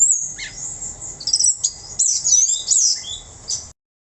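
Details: Orange-headed thrush singing a brief stream of very high, scratchy whistles and downslurred notes that ends abruptly, with a low steady hum behind.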